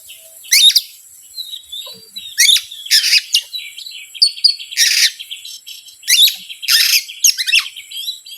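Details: Oriental magpie-robin song used as a lure to excite hesitant birds, mixing harsh grating bursts with quick whistled trills and buzzy phrases, roughly one loud element every two seconds.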